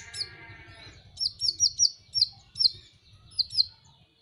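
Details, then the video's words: Van Hasselt's sunbird, kept as a pet songbird, singing for a masteran recording: a run of about nine bright, high, slightly descending chip notes in quick succession, with a low hum in the background. "masteran KONIN dacok ngobra ngobra"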